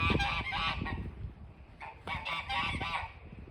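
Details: Snow geese near a front porch give harsh, nasal honking calls in two bursts, several birds overlapping, with a short lull between them and some low rumbling noise beneath.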